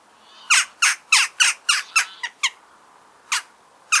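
Eurasian jackdaw giving a quick series of sharp, metallic "tchak" calls, about three per second, then a pause and two more.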